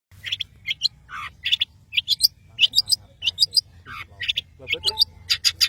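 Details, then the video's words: Long-tailed shrike of the Madura type, singing vigorously: a rapid, varied string of sharp chirps and high whistled notes, some in quick clusters, rising in pace toward the end, over a low steady hum. "CENDET Pentet MADURA GACOR"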